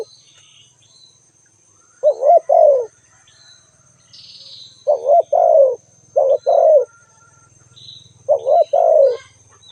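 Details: A spotted dove gives a series of low, mellow two-part coos, a quick warbled note then a drawn-out falling coo, repeated four times, with faint distant chirping and a steady high hum.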